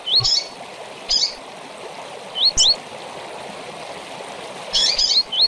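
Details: Double-collared seedeater singing the tui-tui song style with chirps, a recording used to teach young birds: short upslurred whistles in pairs between sharp chips, over a steady rushing hiss like running water.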